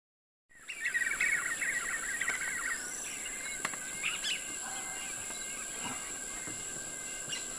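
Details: A family group of Black-fronted Nunbirds in trees along the Rio São Lourenço burst into a fast, rollicking group chatter of overlapping notes for about two seconds, then fall to scattered calls over a steady high insect drone.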